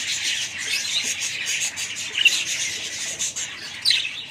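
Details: A family of budgerigars giving steady, overlapping high twittering and squeaky chirps, a few sharper calls rising above the chorus near the middle and end.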